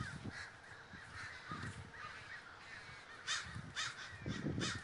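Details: A gathering flock of crows in Davis, California: scattered harsh caws ring out over a distant chorus, with a cluster of louder calls near the end and low rumbling noise throughout.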